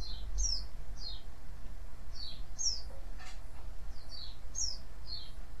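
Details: White-eye calling to attract replies from other white-eyes: clear, high, downward-slurred chirps repeated in small groups about every second, one soft lower rustle midway, low hum beneath.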